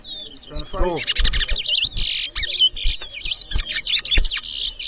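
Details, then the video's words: Chestnut-bellied seed finch whistling at a 2023 bird competition in Edinburgh Village, Guyana: warbled, wavering high notes mixed with buzzy bursts in a quick, busy phrase, a man's voice briefly underneath. "TOWA TOWA BIRD WHISTLING COMPETITION"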